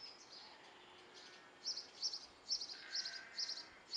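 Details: Great tit nestlings, a brood of nine in a bird box in Belford, Northumberland, start out quiet, then give bursts of sharp high chirps roughly every half second over a faint steady hum.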